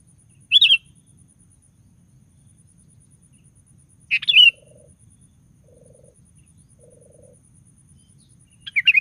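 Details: Brief fluty bursts from a sooty-headed bulbul, used as a lure to get other bulbuls singing, come about every three to four seconds. Faint low purring pulses fall between them.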